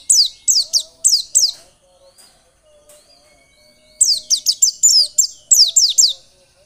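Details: White-eye song used as a lure to make white-eyes sing keenly: four high, steeply falling whistles, a pause of about two seconds with faint low tones, then a quick string of around ten more down-slurred notes.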